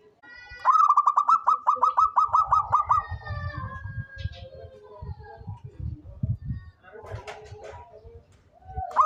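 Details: Long rolling coo from a local zebra dove that calls readily: about a dozen quick, even notes in a row, followed by low rumbling noise and assorted bird calls.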